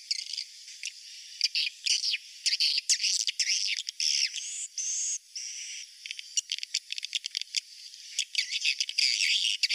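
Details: High-pitched swiftlet roosting call used to attract the birds: dense, buzzy twittering with sharp chirps that swells and fades, with a steadier, sustained stretch near the middle.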